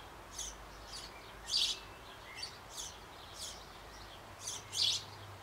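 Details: Bavarian sparrow nestlings close to leaving their birdhouse on an old apple tree, fed by both parents; short, high, grating chirps come irregularly, two louder bursts standing out, with soft hiss behind.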